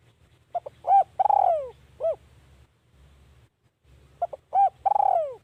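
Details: Two cooing phrases from a decoy spotted dove set out to attract wild birds, each opening with brief notes, swelling into a long downward-sliding coo and ending with a short coo.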